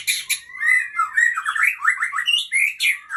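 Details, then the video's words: Song of a female White-rumped shama, Aceh type, from Ujong Pancu: fast, loud sequence of slurred whistles and squawky chattering notes, closely packed and continuous. "Murai Aceh # Betina Supak Ujong Pancu."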